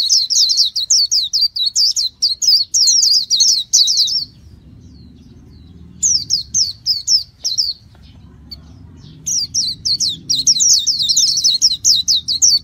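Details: Japanese white-eye pouring out bursts of rapid, high, twittering warble, three long phrases broken by short silences, with a soft low rumble in the pauses.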